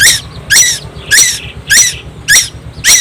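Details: Loud, broad, grating squawks from a young tuwu on Timor Island, six in three seconds, each harsh and noisy, in its constant singing over a steady background hum.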